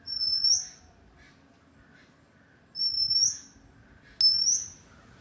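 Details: Oriental magpie-robin song: three long, thin, high whistles, each held steady then sliding upward. They come roughly every two seconds, with quiet pauses and a soft click between.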